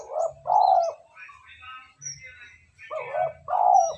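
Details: Spotted dove lure call meant to provoke wild birds: four deep, rounded coos given as two pairs, separated by a pause filled with faint twittering from other birds.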